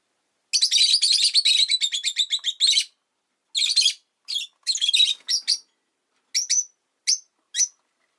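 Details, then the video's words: Pet rosy-faced lovebird, lazy afternoon: a long fast string of grating chirps, then scattered harsh bursts, closing with three short, sharp whistled notes spaced about half a second apart. "Lovebird Chirping Sounds"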